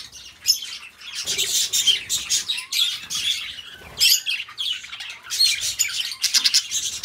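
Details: Pet budgerigars chattering in choppy bursts of harsh, high squawks and rasping chirps, separated by short silent breaks.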